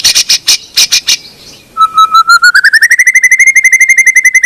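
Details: White-rumped shama song played to coax a quiet bird into singing: a few loud, harsh chips, a pause, then a whistled note repeated ever faster and slightly rising into a steady trill.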